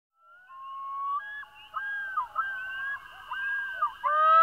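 A Common Loon gives long, haunting, mid-pitched notes that step up and slide, breaking into wavering, yodel-like phrases over about four seconds, with no other sounds.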